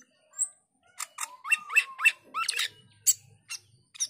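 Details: Male cucak keling singing in an active, chatty mood, giving short sharp notes and a run of rising slurred whistles with squawky accents, pausing between phrases; faint low rumble in the background.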